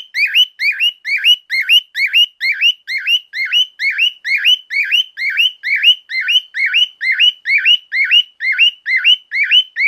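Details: Loud male cockatiel at home repeating a piercing two-note whistle, a low dip followed by an upward sweep, roughly twice a second in a long unbroken run over ten seconds.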